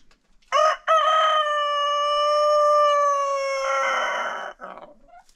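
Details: Farm rooster crowing in an informal contest after breakfast: a quick opening burst, then a very long, even, drawn-out crow of nearly four seconds that gradually roughens before ending.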